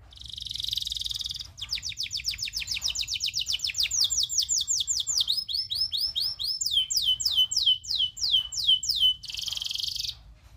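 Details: Local canary tutor song with long rolls: a buzzy burst, then fast trills of repeated downslurred whistled notes shifting to slower, high sweeping phrases, ending in another buzzy burst.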